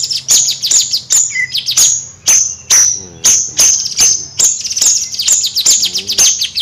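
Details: Bayeman bird singing vigorously in nyrecet style: quick, irregular bursts of high, crisp ticking chips and thin whistled slurs, some doubled, running continuously with a faint low hum underneath.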